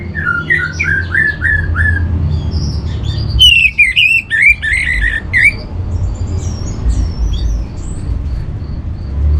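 Orange-headed Thrush singing a rich, varied song of quick slurred whistles and chattery phrases, with a low steady hum underneath.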